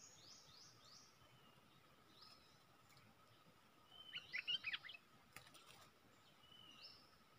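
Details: Decoy red-whiskered bulbul, caged for luring wild birds, sings a short, rapid cluster of chirpy, warbling notes midway, amid steady background hiss and faint high whistles from other birds.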